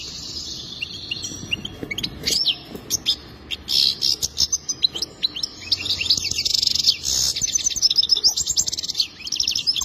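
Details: Goldfinch song starting with scattered sharp chips, building into continuous rapid twittering, buzzy trills and tinkling notes.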